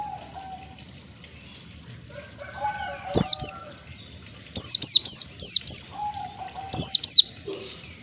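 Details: Oriental white-eye, ngalas 1-2 ketukan training recording for caged birds: some low whistled tones, then a burst of rapid high falling chirps in a quick series, followed by a pair.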